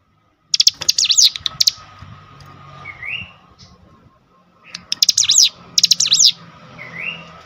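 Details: A Cinereous tit answers a lure recording with two bursts of shrill, fast zigzagging notes, each followed by a brief rising whistle, over a steady low hum and faint background murmur.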